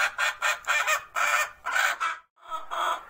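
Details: Hen singing before laying eggs: a loud cackle of harsh, harmonic clucks in bursts, about five quick notes, then a short pause and one longer drawn-out note.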